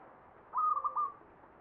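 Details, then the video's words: Zebra dove, known locally as perkutut, in the ngepat Mataram pakem style from Jogja: a single brief phrase of about four soft, rolling coos at steady pitch, ending abruptly. "SUARA PERKUTUT NGEPAT PAKEM MATARAM JOGJA"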